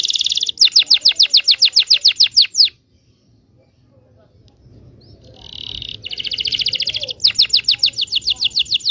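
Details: Canary performing extended rolling song as a lure for young canaries: fast pulsed trills, a silent pause of about two seconds, then the trills return, buzzy and rapidly repeated.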